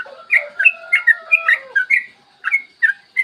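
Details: Lure song of a yellow-vented bulbul for drawing other bulbuls into song, recorded on a clear morning: bright chirped and slurred notes over a steady low whistled tone, ending with a few separated, rising notes.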